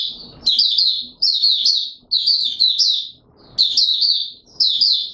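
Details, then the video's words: High-pitched Oriental white-eye (Mata Puteh Raja) courtship song from 25 January 2022: bright twittering phrases of rapid slurred notes, given in clusters of two or three with a short break between clusters, faint room noise beneath. "Mata Puteh Raja V2 in courtship mode"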